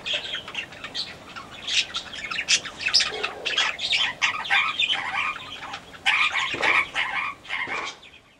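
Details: Aviary-kept yellow-crowned parakeet giving a run of sharp squawks and scratchy chattering notes in irregular bursts, with a few brief flapping or rustling sounds between calls.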